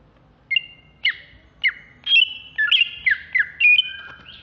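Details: Captive greater green leafbird, Alas Purwo type, ready for contests in Jatiasih, Bekasi, in ngamuk style: spaced ringing whistled notes that quicken into overlapping falling slurs and sustained tones.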